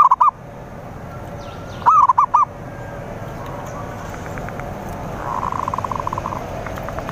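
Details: Zebra dove cooing phrases used as a rival lure: a clipped coo phrase at the start and a full phrase later, followed by faint buzzy notes and a soft rapid trill from other birds.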